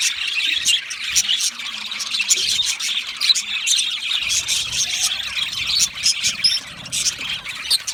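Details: Budgerigars kept in an aviary, many birds calling at once: dense, unbroken high-pitched chirping and chattering with frequent sharp squeaks and short clicking bursts throughout, no other clear sounds.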